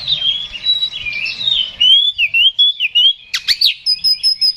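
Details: Singing Oriental magpie-robin, used to rouse a rival to fight: a busy run of warbled, scratchy notes flows into looping whistles, then sharp upswept notes and a string of quick, high, even chirps.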